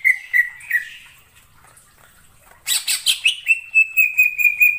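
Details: In the wild forest, a greater green leafbird gives a few soft whistles, then a harsh raspy burst and a fast run of repeated clear piping notes.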